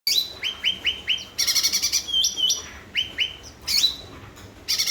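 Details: Cucak ranting bulbul in full song, used to coax silent birds into singing: short upward-flicking whistled notes in quick runs, broken by bursts of harsher buzzy chatter.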